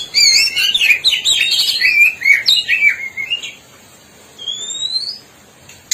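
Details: Oriental magpie-robin, black-breasted East Java form, singing energetically: a rapid jumble of varied chirps, warbles and slurred whistles for three seconds, a pause, then a single clear rising whistle.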